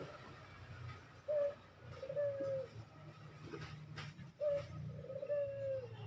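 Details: Fast-cooing Barbary dove used to train caged birds: softer paired coos, a brief note then a longer falling coo, given twice about three seconds apart, against steady low background hum and faint clicks.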